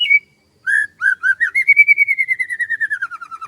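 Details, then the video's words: In rice fields in the morning, a bird gives a few separate whistled notes, then a long, fast, rhythmic trill that slowly falls in pitch. "SUASANA PAGI DI SAWAH SAMBIL DENGERIN KICAUAN BURUNG"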